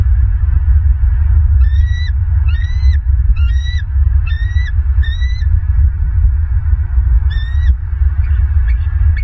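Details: Southwest Florida bald eagles calling at their nest, 16 December 2022, on a live camera: a run of five shrill, rising notes roughly every 0.7 seconds, then a pause and one more note, with heavy low wind noise throughout.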